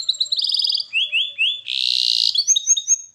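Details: Canary song used for training: a run of rapid high trills shifting between pitches, with rising slurred notes, a dense buzzy burst, then quick bright chirps.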